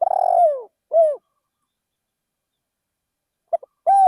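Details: Spotted dove working as a decoy in a rice field. The rolling, downward-sliding purr and short coo of one phrase are followed by a long silence, then the clipped notes and opening coo of the next phrase.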